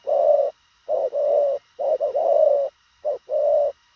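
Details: Spotted dove cooing at speed. Long, full-bodied hollow coos, some opening with a quick stutter note, follow one another closely in a loud, close series with a short gap near the end.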